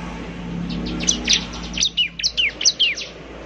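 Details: Bar-winged prinia lure song, eager singing: high chirps start faint under noise, then stand out clearly as loud, separate downslurred notes in the second half.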